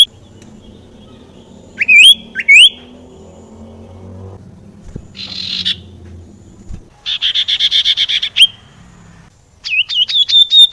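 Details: ['Sirtu (common iora) song, used to coax rarely singing birds into singing: sharp rising whistled notes, then a fast buzzy trill of evenly repeated high notes, then rising whistles again, over a faint low hum.']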